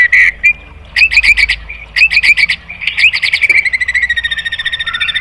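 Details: White-rumped shama singing to provoke other birds: clusters of quick chirped notes in bursts, then a long fast trill of repeated pulses.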